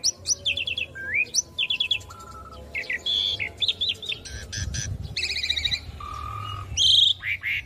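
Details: Asian pied starling song meant as a master recording for young birds to learn from, a varied medley of chirps, buzzy trills, rising whistles and steady tonal notes, with a low hum underneath.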